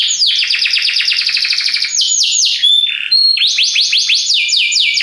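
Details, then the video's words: Belgian canary in powerful song: fast series of steeply falling sweeps, a pause with pure whistled notes, then another rapid run of descending sweeps. "belga canário encantador, canto muito poderoso"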